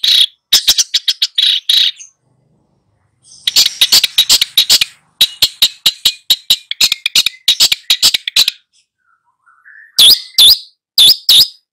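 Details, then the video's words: Long-tailed shrike master tutoring two young birds gives long rattling series of harsh, rapid notes in three volleys, ending with a few louder squawky calls. "SUHU CENDET FULL GACOR MELATIH 2 MURIDNYA"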